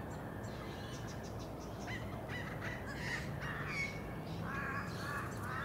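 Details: Australian magpie (Cracticus tibicen) on the Sunshine Coast, Queensland, in June 2023, giving rich, throaty, harmonic notes in short bursts, rising and falling, over a steady low rumble of background noise.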